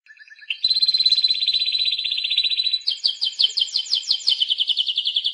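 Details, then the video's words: Spanish Timbrado canary singing a loud, high trilled song: a sustained rolling trill at one pitch for two seconds, then a faster series of repeated rising-falling notes, clean and without other sounds. "el cante del canario timbrado"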